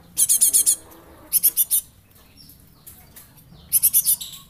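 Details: Java sparrow youngster used for luring, calling in three fast bursts of about five bright, high-pitched chips each, spaced roughly every one and a half seconds against a quiet background.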